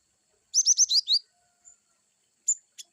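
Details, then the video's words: Cinereous tit giving one quick run of five loud, high, downslurred whistled notes in the wucit style, followed by a couple of brief sharp chips. "glatik batu wucit2 bervariasi"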